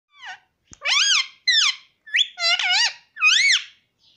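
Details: Pet green ring-necked parrot indoors giving a series of loud, harmonic squawks and whistles, each rising then falling, in about six bursts over four seconds, with a sharp click near the start.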